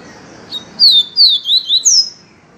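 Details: Yellow-bellied seedeater delivering the viviti song, pure, for encarte: a soft lead-in note, then five strong high whistles in quick succession, mostly sliding downward, the last one rising sharply before falling, with faint background hiss.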